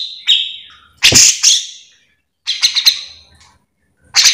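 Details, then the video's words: Captive grey-cheeked bulbul song used as a tutor recording to prompt other bulbuls: loud, harsh bursts of chattering, buzzy notes, each about half a second, separated by short pauses. "Cucak jenggot gacor full mbeset"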